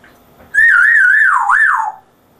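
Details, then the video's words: Pet African grey parrot, noted for its English-accented talking, in a quiet room gives one clear whistle of about one and a half seconds that wavers up and down, then dips and falls away at the end. "English Accent African Grey. Amazing voice!"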